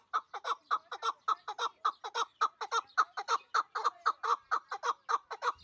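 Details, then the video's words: Hunting-type Pamir chukar partridge from Dushanbe calling a long, unbroken run of clucking, slightly raspy chuk notes, a little faster than three per second, evenly spaced and uniformly loud, in clean quiet surroundings. "Кабки Помир"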